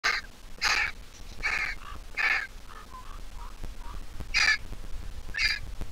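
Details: Griffon vulture nestling, hatched 20 April 2023 from a Jerusalem Biblical Zoo egg and placed in a nest, now grown. It gives harsh, squeaky, rasping calls in irregular bursts, with a few softer, lower squeals between them.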